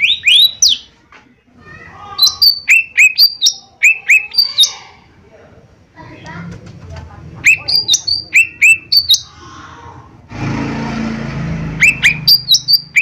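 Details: Caged cucak ijo mini (lesser green leafbird) singing, played to lure other birds into song: sharp, rising and falling whistled notes in quick bursts, a pause, then more bursts, with a brief rushing noise near the end.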